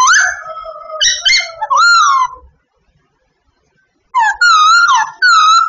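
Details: A babbler in training sings loud whistled phrases with rich overtones, some bending upward. A silent gap of over a second is followed by more steady and wavy whistles.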